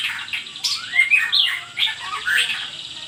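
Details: White-rumped shama song used as a lure to prompt other birds to answer: a rich run of varied whistles, slurred upward notes and chattering phrases, bright and fast, with a faint steady hiss behind.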